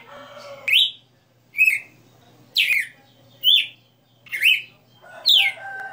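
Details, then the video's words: Red-cowled cardinal kept as a cage bird and known for a 60-note song, giving six clear whistled notes that slur and bend, spaced roughly a second apart, with a steady low hum behind. "Galo de Campina 60 NOTAS Cantando Ao vivo"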